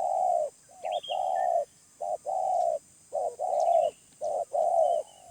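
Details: Medium-voiced wild spotted dove cooing loudly and close, with a brief note, a long rounded note, then a pause, repeated through the phrase. A thin whistle and chirps from another bird are in the background.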